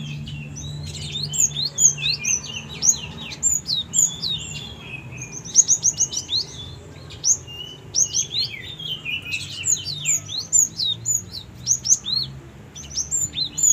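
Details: Pet Java sparrow raised from a young age, singing vigorously: a dense run of quick high chirps and short twittering notes, rapid and irregular, over a faint low hum.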